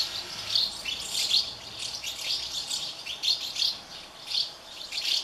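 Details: Hungry House martin nestlings in a thirty-nest colony being fed by parents; continuous shrill high chirping and twittering, swelling into loud bursts about every second.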